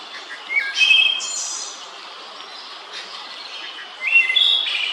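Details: Wood thrush song from Central Park, New York, a bird said to sing two notes at once. Two phrases about three seconds apart, each a short flutey whistle ending in a shimmering, buzzy high flourish.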